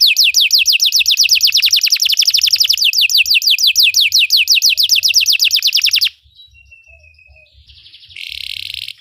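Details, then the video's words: Belgian canary in song for training other canaries, six seconds of rapid repeated downward-sweeping trill notes, then a short pause, a thin whistled note and a buzzy roll. "Belgian canary singing makes your canary sing"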